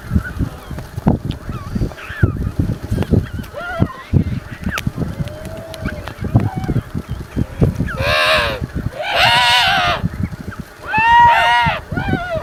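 African penguins give loud, donkey-like brays: three long, harsh, pulsing calls in the last few seconds, after a stretch of scattered short calls and thumping colony noise.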